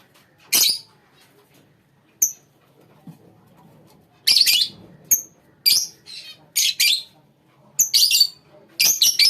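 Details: Colony of lovebirds giving sharp, shrill high-pitched chirps in short bursts, about eight spread irregularly over nine seconds with quiet gaps between them.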